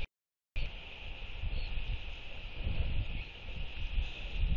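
Brief silent gap, then gusty wind roaring across the microphone with a steady hiss above, and no animal calls heard.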